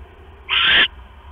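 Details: Owl at its nest around 11:21 PM on October 5, 2015, when the male delivers a rat to the female on eggs; a single rasping, hiss-like screech lasting about 0.4 seconds above faint background hum.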